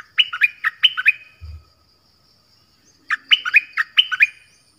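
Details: Nok dok taeng song from Thailand, played for young birds to learn: two phrases, each of five or six ringing, down-slurred chirps in quick succession, separated by a roughly two-second pause with a brief low thump.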